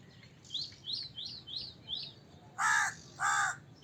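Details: Five thin, quick chirps from another bird, then two loud, grating crow caws close together.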